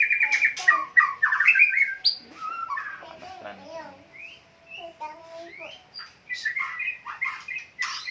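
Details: White-rumped shama delivering a busy run of varied whistles, chirps and squawky notes at a quick pace, softer in the middle and louder again toward the close.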